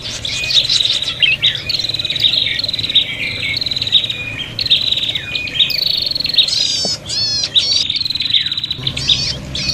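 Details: Prinia in a noisy fighting mood, played to lure birds: an insistent, high, buzzy chatter made of repeated trilled phrases and sharp chirps with brief pauses.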